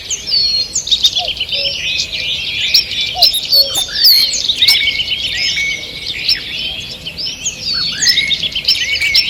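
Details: Wild forest birds in a morning chorus on 2 June 2023: dense high twittering and chirped trills from many birds, with short lower whistled notes dotted through the early seconds.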